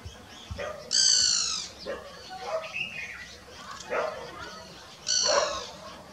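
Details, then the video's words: A great barbet in the middle Himalayas, India, in April during the breeding season, moving with its mate while foraging. It gives a locating call to keep in touch: two harsh, rich, slightly drawn notes about four seconds apart. Softer lower notes come between them. "Great Barbet : different call"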